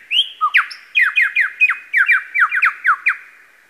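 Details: At Masons Falls, Kinglake National Park, a male lyrebird imitating other species gives a loud, rapid series of about fifteen downslurred whistled notes, each repeated several times a second.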